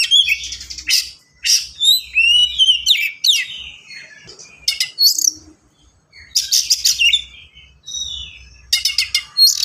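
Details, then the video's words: Oriental magpie-robin (kacer) delivering fast, tightly packed song full of varied fill-ins: sweeping whistled slurs, clicking bursts and rasping notes in quick succession, with short gaps between the phrases. "KACER GACOR SPEED RAPAT FULL ISIAN"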